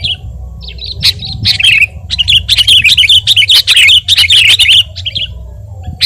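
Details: Sooty-headed bulbul song, energetic nonstop singing used as a training and provoking recording: dense bursts of bright chattering, warbled notes, rapid and uneven, with short pauses between runs.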